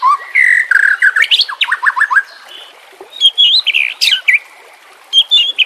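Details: Murai batu, the white-rumped shama, singing on a training and luring recording with trickling water: opens with a rising whistle, then a fast series of upward-swept notes, pauses, and resumes with warbled high phrases and a sharp upslur.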